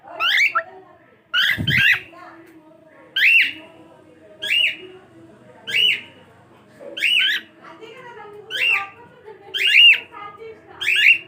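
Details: Cockatiel repeating a short, rising-then-falling whistled call about once every one to two seconds, eight times in all, with a faint low thump early on and quiet room sound between calls.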